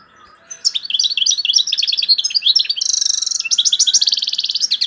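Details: European goldfinch from Algeria in loud, high song with named phrases tourougio, kaka gio and bourouis: bubbly twitters, a buzzy sustained trill, then rapid repeated tinkling notes.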